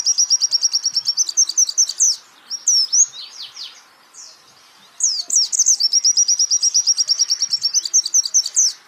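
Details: Pleci (white-eye) master song for teaching birds: long rapid trill of thin high notes, a break of falling slurred whistles, then the fast chattering trill returns.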